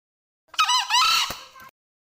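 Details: A male green junglefowl (Gallus varius) gives one hoarse, rasping crow in two quick parts, lasting just over a second, against a quiet background.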